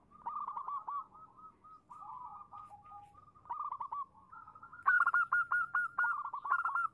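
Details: A female zebra dove calls to a male with tumbling phrases of rapid cooing notes, building to a louder, higher, sustained trill in the second half over faint low noise.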